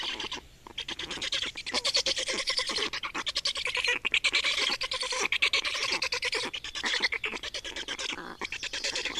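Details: Nest of black storks in Estonia, 28 May 2019, at a change of adults and feeding time: steady, rapid stream of buzzy, rattling pulses and high scratchy squeaks, nearly unbroken for nine seconds.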